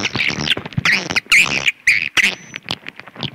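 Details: Swiftlet call, loud bursts of chattering, buzzy twitters broken by short pauses and sharp clicking notes.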